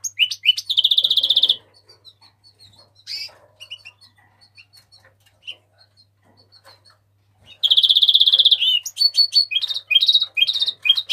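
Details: Mexican rosefinch singing: bright, rapid warbled phrases with buzzy trilled notes, loud bursts at the start and again after a long stretch of soft scattered chirps, then a fast varied run of high notes to the end; faint low hum beneath.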